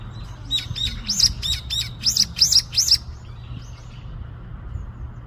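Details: Small bird chattering as if talking with its friends outdoors: a quick run of about eight bright, high chirps with upward flicks, packed into two seconds, then a faint twitter over a steady low hum.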